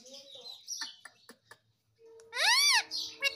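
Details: Talking pet Indian ringneck parakeet in India: a stretch of soft speech-like murmurs and clicks, then one loud harsh arched screech with rich harmonics, rising and falling over about half a second.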